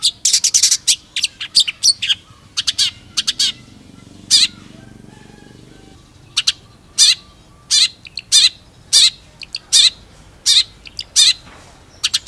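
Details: Long-tailed shrike singing harsh, high scratchy phrases, starting with a dense burst, then a few seconds of near silence, then evenly spaced single rasping notes about every half second.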